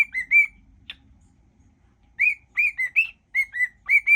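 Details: Pet cockatiel whistling a mash-up of songs while singing toward a person's feet indoors: clear whistled notes near the same pitch, short rising-falling phrases after a pause, owner talking nearby.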